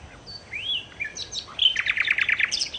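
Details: Nightingale, or sikatan londo, singing to lure other birds: a soft rising whistle and short slurs, then a loud burst of rapid repeated ringing notes, about seven in quick succession.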